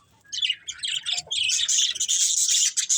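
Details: Budgerigar chirping from a breeding pair: choppy high twitters that merge after a second and a half into an unbroken, buzzy warble.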